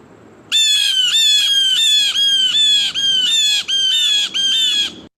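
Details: Blue Jays give their alarm call, used against predators such as hawks, owls, cats or snakes, in a run of about seven harsh, nasal jeers in quick succession, each about half a second long, against a quiet background.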